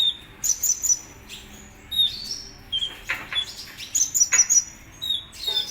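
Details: Kolibri Ninja sunbird in lively song: repeated clusters of very high, piercing chirps and quick downslurs, each burst lasting under a second with short pauses between them.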